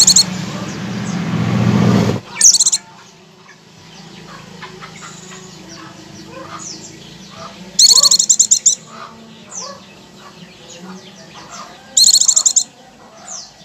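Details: Oriental white-eye song for luring birds into ngecir: low rumbling noise at first, then three separate bursts of fast, piercing, repeated notes, with soft chirps from other birds in between.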